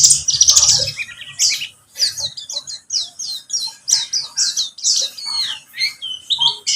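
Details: White-eye of the pleci buxtomi kind singing as a lure to make another bird sing: a buzzy high trill at the start, then crisp repeated downward chirps in quick, even sequence, over a faint low hum.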